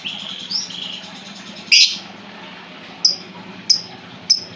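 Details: Lovebird calls played as a lure for a bird that has stopped singing: a few sharp, high squeaky chirps, one loud burst, then three short clipped notes spaced evenly, over a faint background hum.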